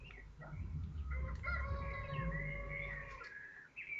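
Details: Common kestrels at a nest in Théding on 2 May 2024, swapping places on the eggs during incubation; long, drawn-out whining calls with wavering tone, continuous for about three seconds over a low rumble.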